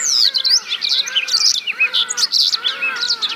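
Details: A yellow canary (Crithagra flaviventris) sings a fast, unbroken warble of high, sweet trills and slurred chirps that tumble and change pitch every fraction of a second.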